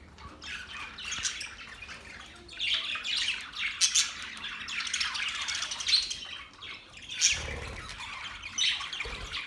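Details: Several Australian budgies chirping together: a busy mix of raspy squawks, twittering chirps and sharp high clicks. The chatter swells and fades in waves, with a few louder squawk peaks.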